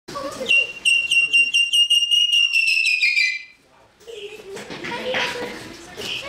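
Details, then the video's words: Buff-crested bustard's normally ear-piercing call, played back at high speed: about three seconds of a high, rapidly pulsed whistle sliding slightly downward, then a pause and muffled voices. "Buff Crested Bustard Call Played Back in High Speed"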